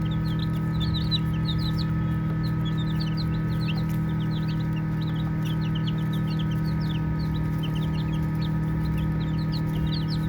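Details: A flock of baby chicks chirping while they play. Dense, continuous high peeps, each brief and falling in pitch, tumble over one another without pause above a constant low mechanical hum.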